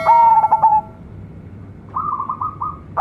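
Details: Young local zebra dove: a rapid string of clipped coos, a pause, then a slightly higher run of quick stuttering notes.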